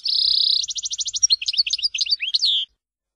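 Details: European goldfinch singing an Algerian song style from the Tizi Ouzou region: a steady high buzzy trill, then a rapid run of repeated notes, then varied twittering notes and a final sliding whistle, all very high and clean.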